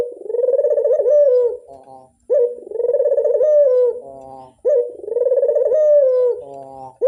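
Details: Rhythmic rolling coos from a Barbary dove used as a lure call, three long vibrating phrases roughly every two and a half seconds, each ending in a short dip and a brief nasal tail.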